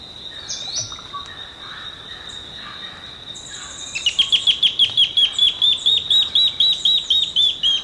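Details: In Costa Rica, an Olivaceous woodcreeper gives a quick series of about sixteen high, sharp, slightly rising notes, roughly four a second, after a steady high insect-like whine.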